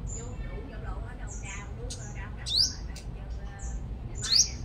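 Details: Sunbird used as a lure bird in Long Thành, Đồng Nai, Vietnam. Two sharp, rising, very high-pitched notes stand out, about two seconds apart, between faint thin twitters and low background hum.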